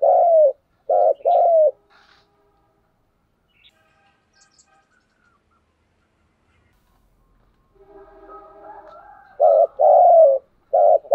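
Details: A Spotted dove used as a decoy, cooing in the energetic 'thúc gù' style. Quick bursts of low, hollow coos open the passage, then a long quiet pause with faint rustling, then another run of clipped and drawn-out coos.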